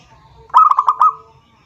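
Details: Single rival-calling zebra dove phrase, five quick stuttered notes rolled together at one pitch, clear over a quiet background.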